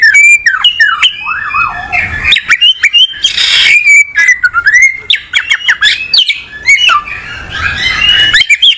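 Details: Kacer, the oriental magpie-robin, in rich varied song: looping whistled phrases that dip and rise, short clicking notes and a brief harsh, noisy stretch, delivered almost without pause.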